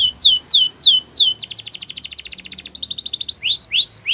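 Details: Training song of a champion canary, opening with looping downward-sweeping whistles, switching to a rapid metallic trill, then a higher pulsed tour and rising whistled notes at the end.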